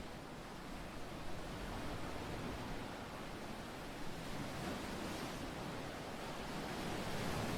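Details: Steady roar of sea surf and wind on a Basque Country beach, with no animal calls.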